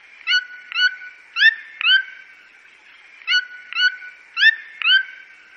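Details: Red-billed toucan, Brazil: two groups of four widely spaced, rising yelps, each note short and harmonic-rich, separated by a pause of about a second, over a soft background drone.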